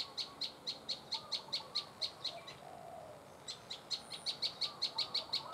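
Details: Prinia calling, with short sharp chips repeated steadily about every quarter second. A brief pause falls midway before the series resumes. Faint rustling sits underneath.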